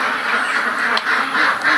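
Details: A crowd of ducks on a duck farm quacks together in a steady, nasal, overlapping chatter with no pauses and louder bursts near the end.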